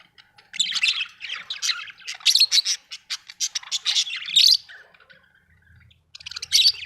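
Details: Pet budgerigars at home produce busy squawking and chirping chatter, loud bright bursts with a short lull near the end and a faint low hum.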